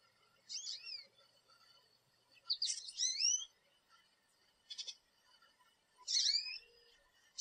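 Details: American goldfinch in a backyard with a thistle and sunflower feeder; high, sweet, rising and upslurred calls come in short bursts about every one to two seconds, with quiet gaps between.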